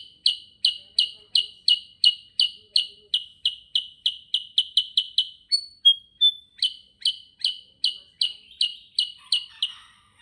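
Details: Sooty-headed bulbul in gacor ngerol song, a long, steady train of bright, clipped chirps roughly three per second, pausing briefly for a couple of thin, level whistles before the chirping series carries on.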